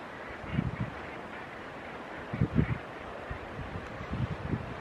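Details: A noisy group of Northern Gannets feeding by diving into the sea off Flamborough Headland, with auks and gulls about, giving low, harsh, guttural grunts in short bursts every couple of seconds over a steady rush of wind and sea.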